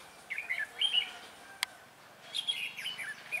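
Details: Decoy red-whiskered bulbul at a bird trap, singing to draw in wild birds: quick slurred whistled notes, a sharp click in the middle, then another warbled phrase.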